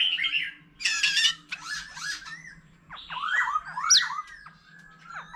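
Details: Old wild-caught white-rumped shama singing varied phrases alongside a laughingthrush: a soft whistle, a harsh buzzy burst, scratchy notes, then a string of sharp downward-slurred whistles.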